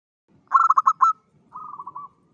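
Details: Local zebra dove singing persistently, used as a lure for other zebra doves: a burst of five clipped, stuttering notes, then after a short pause a softer rolling trill of quick pulses, with a faint low rumble underneath.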